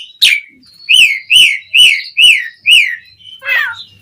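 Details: Asian pied starling singing. One sharp high note comes first, then a regular run of five lower, slurred whistles, each rising briefly then sliding down. A softer, wavering downward phrase closes the passage.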